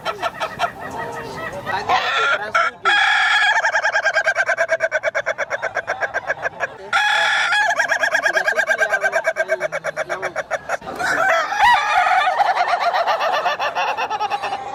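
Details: Funny-sounding rooster crowing three times in a row, each crow long and hoarse and broken into quick cackling pulses, with a steady background hiss throughout.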